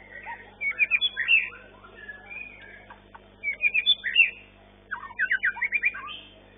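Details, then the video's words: Competition white-rumped shama of the long-tailed class, first-place winner in a session-nine contest; three bursts of rapid, varied whistled notes and chips, each about a second long, separated by short pauses, over low crowd murmur. "MARTABAT MURAI MANIA-SESI 9 JUARA 1 KELAS MB EKOR PANJANG EXSOTIS"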